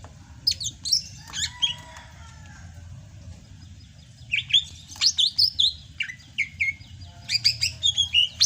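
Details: Greater green leafbird from Sumatra still singing in the rainy season: bursts of sharp high chips and downward-slurred whistles, a pause of about two seconds, then fast repeated whistled phrases, steady low hum beneath.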